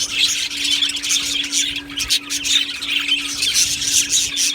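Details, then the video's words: Budgie colony in an aviary on 1 July 2025: crowded high chirps and warbles from many birds, calling in uneven bursts, over a clear steady low hum. "beautiful Budgie birds chirping sounds"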